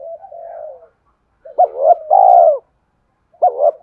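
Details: Spotted dove cooing in the "thúc" style used to rouse a decoy bird: a soft drawn-out low coo, a pause, then a loud short note and long hoarse coo, and the start of another loud phrase.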